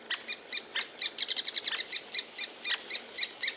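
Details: A three-toed woodpecker near its nest hollow in Białowieża Forest gives a fast, slightly uneven series of short, sharp, high notes, about four a second, with nothing else heard.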